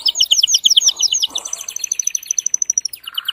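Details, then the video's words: Strong, agitated male canary song intended to encourage mating in female and male canaries: quick sweeping repeated notes, then a thin sustained high whistle over fast pulses, with some background chirping and noise. "تغريد هائج قوي لذكر كناري من أجل تحفيز أنثى وذكر الكناري على التزاوج"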